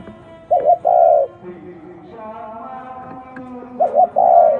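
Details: Spotted dove cooing, one of ten unusual cooing styles: a short wavering double note then a long steady low coo, given twice about three seconds apart, over soft background music tones.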